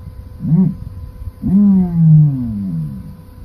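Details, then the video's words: Male common ostrich calling: a short low hooting note, then a longer, deep, droning call that slides slowly downward over about one and a half seconds, with a quiet background. "صوت ذكر النعامة ( ظليم )"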